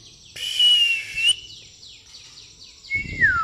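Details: Pastol white-rumped shama singing fighting-sparrow fill: a loud, noisy buzz carrying a steady whistle, a row of short, high, down-slurred chips, then a clear whistle falling steeply.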